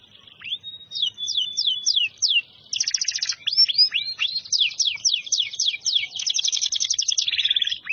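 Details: Canary singing in full voice: a long flat whistle, then repeated downslurred whistled sweeps alternating with rapid buzzy rattling trills, bright and high-pitched, delivered almost without pause over eight seconds.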